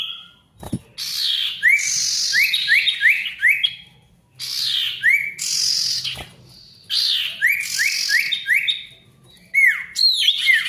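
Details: Ashy tailorbird in full, noisy song to encourage stalled tailorbirds: harsh buzzy bursts each followed by fast runs of five or six rising whistled notes, repeated in three phrases.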